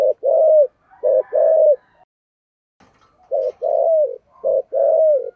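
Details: Spotted dove, 'thổ sấm' voice, cooing 'thúc gù': rapid series of low paired phrases, short note then sustained falling coo, about once a second, with a short pause midway.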